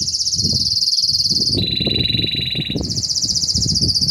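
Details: Intense yellow Belgian canary singing hard: long rapid pulsed rolls, a high trill dropping to a lower tour and then rising again, with low rumbling noise beneath.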